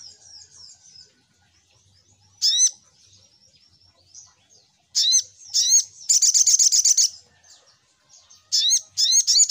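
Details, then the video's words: Lure call of the Little Spiderhunter: loud, sharp, downslurred chips in clusters and a fast, ringing, rattling trill, with quiet gaps between. "Suara Pancingan Burung SogokOntong"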